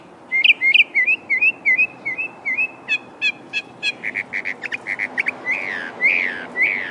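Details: Northern mockingbird singing: a run of short rising-falling whistled notes repeated about four times a second, switching to sharp clicky notes, then drawn-out slurred falling phrases.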